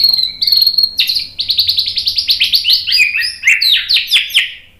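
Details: White-rumped shama song meant to provoke birds into singing: a fast high series of sharp chirped notes repeated many times in quick succession, preceded by thin high whistles.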